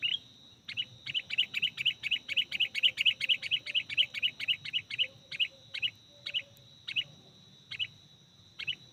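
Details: Sooty-headed bulbul recorded while luring birds for trapping: a long steady train of sharp chirps, roughly three per second, slowing toward the end, over a constant high electronic whine and faint low hum.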